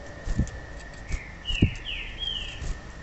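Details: Female papa-capim, the Yellow-bellied Seedeater, calling to excite male birds into song: three thin downslurred whistles in quick succession, with scattered knocks and thumps and a constant high electronic whine behind.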